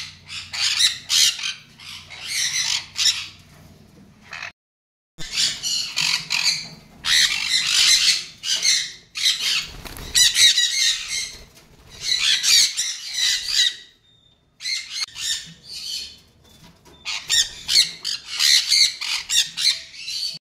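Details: Captive-bred semi-adult Sun conures, males and females aged 7 to 14 months, give harsh, shrill squawks in repeated bursts, several birds calling over one another.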